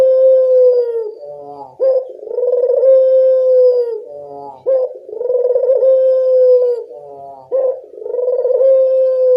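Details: Local Barbary dove lure call to prompt other doves to answer: low rolling coos, each opening with a short rising note, then a throbbing stretch and a long steady tone, repeated about every three seconds.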